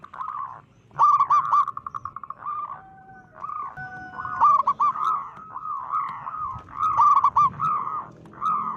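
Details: Local zebra dove with a big, loud voice, its call said to make other zebra doves panic; rolling, trilled coos repeated rapidly in overlapping phrases, with a pair of steady drawn-out tones in the middle.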